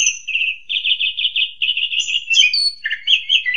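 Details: Asian pied starling master song for teaching young birds: continuous fast chattering trills with bubbly, pulsing notes, moving into higher whistles and harsh squeaky phrases at the end, clean with no other sounds.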